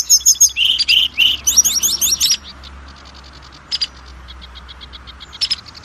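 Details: Oriental magpie-robin song meant to provoke other magpie-robins into singing: dense high chattering and whistled trills for two seconds, then only a few faint scattered chips.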